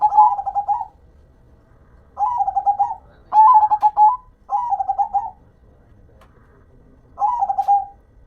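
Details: Local zebra dove singing steadily, five stuttered cooing phrases in about eight seconds. Each is a fast string of soft, slightly descending notes, set against a quiet background.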